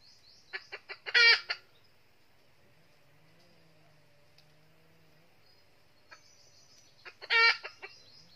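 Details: Decoy red-eared junglefowl hen from the north, luring wild males at a trap: two bursts, each a few quick clucks building into a loud harsh cackle, separated by near silence with a faint low hum.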